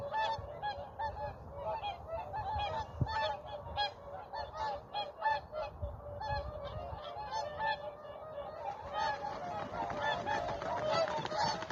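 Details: Whooper swans gathered on Vandjala lake in Estonia, November 2023, 7.45 in the morning, before freezing weather; dense chorus of resonant honks in quick succession, many birds overlapping, louder and denser toward the end.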